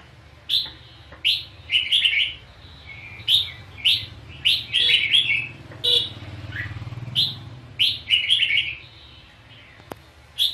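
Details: Red-whiskered bulbul (chào mào) dueling song recorded during trapping with a decoy bird: short, bright, liquid whistled phrases, each under a second, repeated about every second, with a low vehicle-like rumble in the background.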